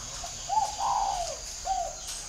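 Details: Decoy spotted dove with a whistle-style voice, Ba Vì district, Hanoi, Vietnam, giving a three-part phrase: a soft short lead-in note, a long mellow falling coo, and a clipped final note over faint constant hiss.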